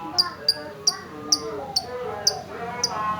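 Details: Gacor female lovebird giving short, piercing high chips at uneven gaps of about half a second, seven in all, over a murmur of softer background chatter.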